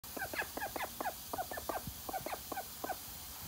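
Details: Call duck let outside in the morning and bathing straight away, giving a rapid run of short, nasal quacks, about four per second, ringing with harmonics and uneven in spacing, over a faint low outdoor rumble.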